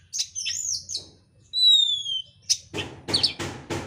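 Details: Oriental magpie-robin song used as a lure to provoke another bird into singing, described as dense, fast and persistent: high chirps, a clear falling whistle repeated in three parallel lines, then sharp broadband clicks and rattles.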